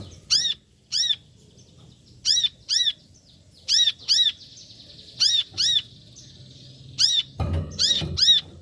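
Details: Brown-throated sunbird calling: sharp, arched, chirping notes, single or in quick pairs, repeated at irregular intervals of about one second, with a soft thump near the end and a faint steady hiss behind.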